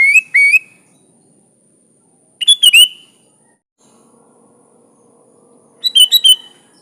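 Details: Sooty-headed bulbul with three short phrases of quick bubbly notes, each ending in a slurred whistle, spaced about two and a half seconds apart over near silence.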